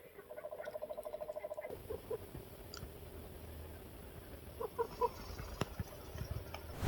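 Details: Black grouse cocks gathered at a lek in early spring, watched from a hide: faint rhythmic bubbling at a distance for nearly two seconds, then quieter scattered notes amid background noise.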